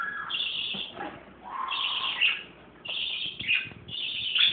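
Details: Parakeets and a baby parakeet give steady scratchy chattering in repeated bursts, mixed with a few lower warbling notes and short squeaks.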